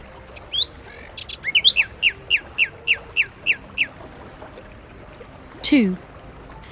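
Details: Common Nightingale song, a species whose males usually sing at night: a few scratchy opening notes, then a quick run of about eight clear, falling whistles, followed by a sharp downward-sweeping sound near the end.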